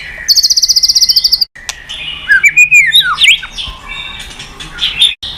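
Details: White-rumped shama song used as a lure to provoke other birds to sing: a fast, even burst of bright high notes, then gliding whistles and twisting slurred phrases, with brief silent gaps.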